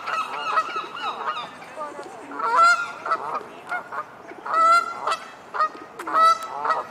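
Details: Great crested grebes, two pairs disputing the invisible frontier at a corner of the Serpentine island; loud, harsh, nasal honking calls rise in bursts roughly every second or two, with quieter clucking between them.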